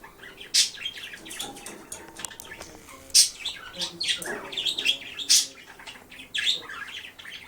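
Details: Pet budgerigar playing with a disco ball in sunlight, giving a stream of scratchy, high chirps and warbling chatter with several sharp louder peaks, continuous over the whole stretch.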